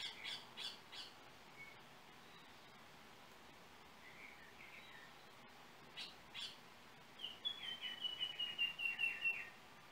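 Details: Yellow oriole singing in Trinidad, recorded by cell phone: scattered harsh chattering notes, soft whistles, then a fast series of about ten short whistled notes that slowly drop in pitch.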